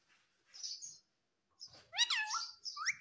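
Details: Pet parrot indoors: a soft chirp, a pause, then loud nasal wavering voice-like notes and a rising whistle.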